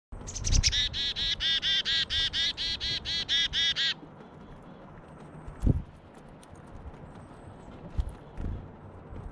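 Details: A chickadee gives its chick-a-dee call while snagging a seed: a quick run of about a dozen harsh, buzzy 'dee' notes over three seconds, then faint background thumps.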